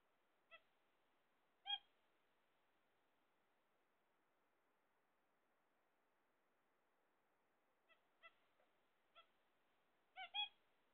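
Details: Pet zebra finches, waiting for eggs, trade clipped nasal beeping calls: two notes early, a long pause, then a cluster of quick beeps ending in a louder double note.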